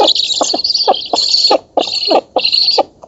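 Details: Young black storks begging as they are fed in a Polish oak nest, 11 August 2017, nest camera recording; wheezy high hissing bursts about half a second long, broken by short pauses, each with pulsing rasps underneath.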